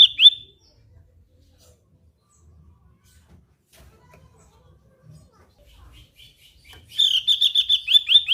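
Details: Lively-singing Javan grey-throated white-eye: one sharp chirp burst at the start, a long quiet gap, then a fast run of clear, high, repeated chattering notes at the end.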